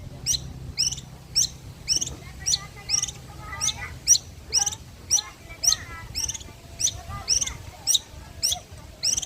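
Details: Sunbathing at midday, a long-tailed shrike of the blangkon form repeats harsh, downward-sweeping rasping notes at a steady pace, about every half to two-thirds of a second, in a quiet setting.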